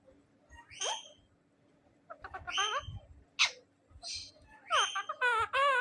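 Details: Talking pet ringneck parrot, a male, saying "MashaAllah" in its own way: a series of rising and falling squawky syllables with speech-like sweeps, ending in a wavering, warbling phrase, with faint low background noise.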